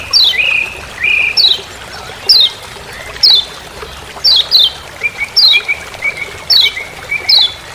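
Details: Kecial kuning, Lombok's lemon-bellied white-eye, calling "ciak ciak" in forest as master sound: rapid series of sharp descending high chips mixed with flat, lower whistled tones.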